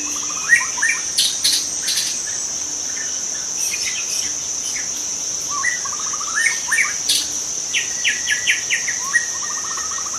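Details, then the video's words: A young wild white-rumped shama sings repeated fast trills, rising whistles and clusters of crisp chipping notes, amid bursts of insect buzzing and a constant high insect hum. "Kicau murai muda hutan"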